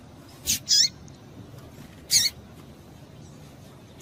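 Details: Female Double-collared seedeater giving calls meant to stimulate males. Two quick high chips close together, then a pause and another bright chip, with a final note at the end; the background is otherwise quiet.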